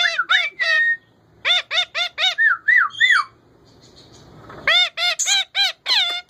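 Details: Male rose-ringed parakeet kept as a pet, talking: clipped, voice-like syllables in quick bursts, with sliding whistled notes in the middle and a second rapid run of chattering syllables after a short pause.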